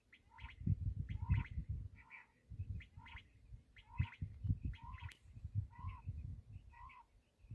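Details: Black francolin, known locally as kala teetar, giving a series of short, harsh two-part notes repeated roughly every half second to second, with loud low thumping and rumbling handling noise underneath.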